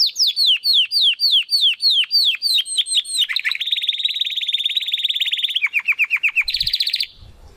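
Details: Spanish Timbrado canary, young and gifted to a friend, trying out its full song: a series of bright descending whistled notes, then a long fast rattle, a lower choppy roll and a short buzzy burst.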